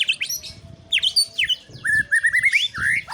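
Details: White-rumped shama singing high sharp notes, then a steady string of short, evenly paced whistled phrases, each rising slightly, with quieter high notes above.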